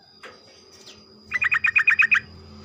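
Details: Sooty-headed bulbul singing in the morning, a lure meant to prompt other bulbuls into rapid song: a quick run of about eight bright, bubbly notes, evenly spaced, after a brief lone call, over a steady thin electronic whine.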